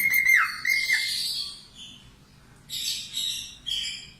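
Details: Budgerigar song for cockatiel training: a short falling whistle and a rasping squawk, then after a quiet gap, clipped scratchy chattering phrases repeated in quick bursts.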